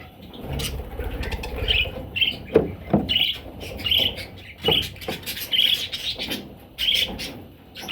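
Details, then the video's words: Parrot chicks making steady short squeaky chirps, roughly two per second, over rustling and occasional sharp taps. "Parrot Chicks"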